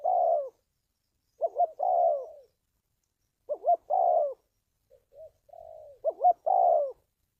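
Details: Spotted dove, a trapping lure and decoy-training recording: spaced coo phrases with pauses, pulsed double notes then long hoarse descending coos, plus a few soft short introductory notes.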